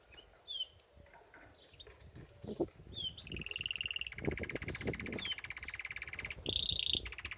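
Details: Bathing-spot canary gives scattered thin rising chirps, then settles into a sustained buzzing roll. A short shrill higher tour cuts in near the end, over irregular low splashing-like thuds.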